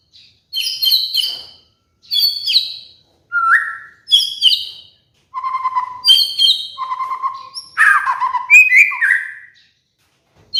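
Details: Pet white-rumped shama (murai batu) giving master trigger song for training molting cage birds: rich varied whistled phrases in bursts of about a second, mixing high chirpy notes with lower sliding whistles, separated by short silences.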